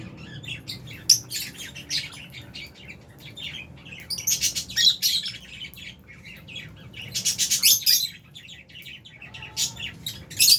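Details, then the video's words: Albino and Fisher's lovebirds chirping in busy, overlapping bursts of shrill, high squeaks, with loud clusters around the fifth and eighth seconds and a closing sharp note. "Lovebirds Chirping Sounds"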